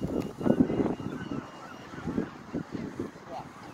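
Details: Juvenile European herring gull (Larus argentatus) at Bognor Regis giving a few low, hoarse, honking notes in quick bursts, then softer repeated calls, with wind rumble throughout.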